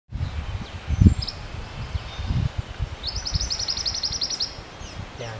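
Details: Pied bushchat (Saxicola caprata), recorded 12 February 2021 on Ciriba hill, Karang Sari, Ciwaru, Indonesia, sings a rapid, high, even trill of about a dozen quick notes under two seconds, over low rumbling noise and dull thumps.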